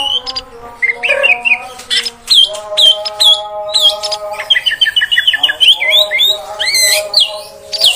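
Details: Female oriental magpie-robin voice used to excite males: varied sweet whistles, a fast series of repeated notes and wavy slurred phrases, interspersed with harsh calls over a faint hum.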